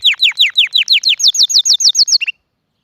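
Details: Canary singing nonstop to teach other canaries: about a dozen sharply descending whistled notes repeated rapidly, shifting to faster looping notes, then ending abruptly in silence.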